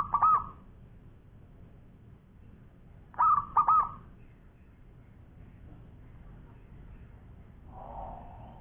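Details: Local-strain Zebra dove, a champion bird singing actively in long-voice style: two bursts of soft, rolling cooing notes with quick pulsed trills, about three seconds apart, then a fainter, lower coo near the end over a low background rumble.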